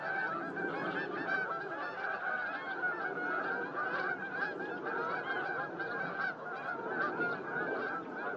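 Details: Whooper swans calling, recorded at Starene in 2023: a dense chorus of many overlapping nasal, honking trumpet notes, continuous and layered throughout.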